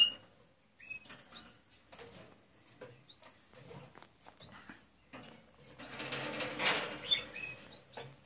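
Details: Eight-day-old Gloster canary nestlings give short, thin, high peeps and upslurred chirps in quick bursts at the start and near the end, broken by a stretch of broad scraping and rustling noise in the middle.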